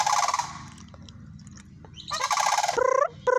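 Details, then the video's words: Sandhill cranes calling: two loud, rolling, rattly bugling bursts, followed by a couple of shorter clear trumpeting notes. "Sandhill Cranes Calling"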